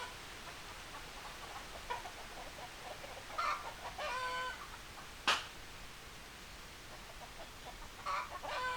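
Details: Chickens give several brief, nasal, harmonic squawks spread over several seconds, with one sharp click-like knock in the middle and a constant background hiss.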